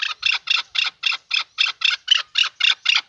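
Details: Male chukar partridge calling: harsh, clipped chuck notes repeated steadily, about four per second, with nothing else audible.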